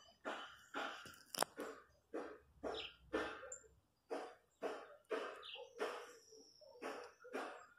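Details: Wild chachalacas in the countryside give loud, harsh, raucous calls in a rapid chorus, about two bursts per second, each note broad and grating, with small bird chirps above.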